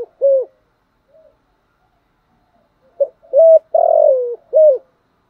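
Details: Spotted dove cooing, used to stir wild doves into calling back and to train decoy birds; a short clipped note, a gap, then a full phrase of short coos, a long grainy falling coo and a closing rounded coo.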